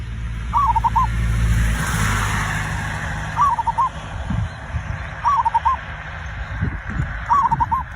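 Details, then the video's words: Zebra dove song used to prompt other birds to start singing: four soft cooing phrases spread over several seconds, each a rising hooked note then a rapid trill of short coos, against a steady low engine-like rumble. "perkutut raja pikat cocok untuk memancing burung cepat bunyi"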